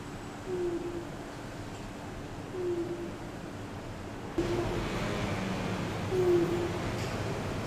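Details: A bird perched on top of a building around 8 at night, calling over and over: a low, slightly falling hooted note repeated about every two seconds, faint against steady background hum.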